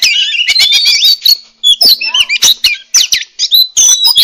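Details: Oriental magpie-robin (murai kampung, murai cacing) delivering fast varied song: clustered high whistles, squeaky slurs and scratchy notes in quick bursts with short gaps.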